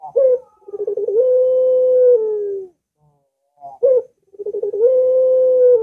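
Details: Puter dove song used to coax a silent bird into singing; a quick run of pulsed coos swells into one long, level, humming note, followed by a pause and another stuttering start.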